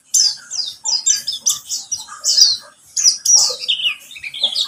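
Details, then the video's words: A pleci buxtomi white-eye sings a lure phrase meant to coax other birds into song: quick series of high downslurred chirps, some sweeping lower, delivered in lively rhythmic bursts. "Pancingan pleci buxtomi agar bunyi"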